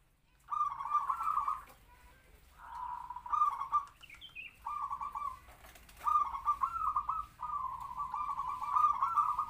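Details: Captive-bred local zebra dove used for trapping, caged in the open near other doves so it sings boldly when wild ones come. It gives repeated bubbling, trilled cooing phrases of one to two seconds with short gaps, and a brief higher chirp.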